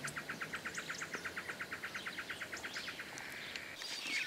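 A White-barred piculet gives a steady run of about twenty short, sharp notes, roughly seven a second, before stopping. Faint rustling and background noise follow.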